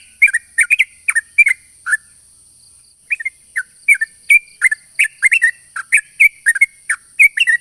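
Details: Long rapid song of a sooty-headed bulbul used to lure other bulbuls: quick bubbly chirps, a one-second pause, then a lively stream of slurred and clipped notes to the end, with faint steady high hum.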